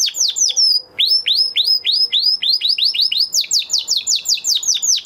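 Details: Male canary singing after its moulting period, a steady series of loud descending whistled notes repeated about twice a second, shifting to a higher, faster phrase near the end.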